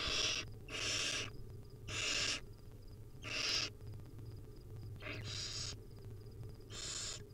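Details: Wild baby barn owls in the nest begging as their mother feeds them tiny pieces: about seven scratchy, snore-like hisses of uneven length and spacing, filling the span, with low background hum.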